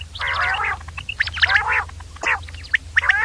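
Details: Batir, the common quail, giving loud harsh grating bursts with bright clipped high notes between them, several calls overlapping in quick succession over a low background hum.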